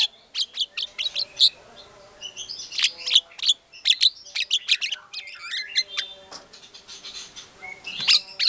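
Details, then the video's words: Lure song of an energetic white-rumped shama meant to provoke rivals: rapid, dense strings of sharp chirps and high ticks with scattered short whistles, almost unbroken throughout. "PANCINGAN MURAI BATU GACOR BONGKAR MATERI SEREM, SEKALI DENGAR MURAI NYAUT LANGSUNG EMOSI"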